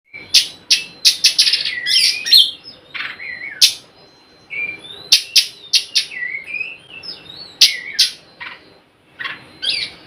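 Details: Oriental magpie-robin, a lure recording meant to prompt silent magpie-robins to sing; loud harsh broadband chacks mixed with sliding whistled notes around the upper-middle range, delivered in quick bursts with short pauses.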